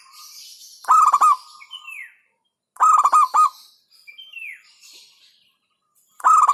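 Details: Hentakan song of a local zebra dove, meant to stir up rivals: three staccato bursts of rapid, pulsing coos, separated by a few seconds, with thin rising whistles from other birds in between.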